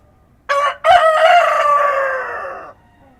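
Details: Real farm rooster at dawn in countryside surroundings giving one full crow: a clipped first syllable, a pause, then a long drawn-out hoarse note that slowly falls and fades after about two seconds; the setting is otherwise calm.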